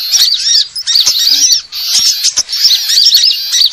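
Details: Sunbirds calling in a bird-luring recording: thin, high twittering notes and arched slurred chirps that come in quick bursts, several birds overlapping, with a short pause midway.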